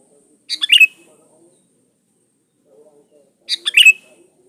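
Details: Lure song of a sooty-headed bulbul in full voice: two short, bubbly, warbled phrases three seconds apart, with faint low sounds in between.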